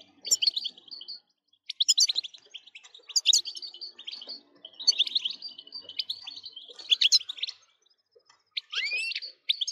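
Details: Goldfinch singing, played to excite goldfinches into nonstop song; lively tinkling phrases of quick chirps and trills recur roughly every second, with brief silent gaps and a rising slurred whistle near the end.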